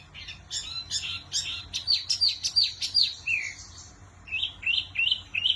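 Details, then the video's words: Wambi in busy song: a quick series of sharp, high, clicking chirps about three per second, then a descending whistle and a few rising whistled notes after a brief lull. "Burung Wambi Mini Gacor Kicau Terbaik"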